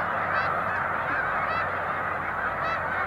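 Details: Snow geese by the thousands launching together as a boat draws near, March 2021: a ceaseless babble of nasal honks, with a few higher calls standing out above the crowd.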